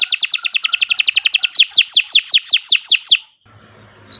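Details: Canary pouring out a quick chain of bright, evenly spaced notes that slow into drawn-out descending whistles, ending abruptly before a faint new phrase begins.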